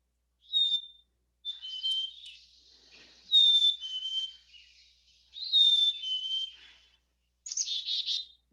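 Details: A Black-capped Chickadee sings its clear, falling two-note whistle, its song given the mnemonic "cheeseburger", three or four times. It ends with a buzzy chick-a-dee alarm call, where more "dee" notes signal a greater perceived threat.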